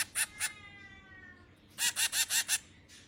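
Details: Finch chicks being fed: two harsh, buzzy begging notes, a quiet pause, then a fast run of five more raspy calls.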